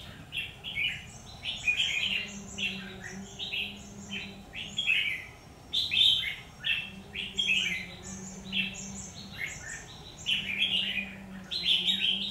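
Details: Combative song of a red-whiskered bulbul during trapping, 17 October 2019: busy, nearly continuous strings of sharp chirped and whistled notes in rapid phrases, over a steady low hum.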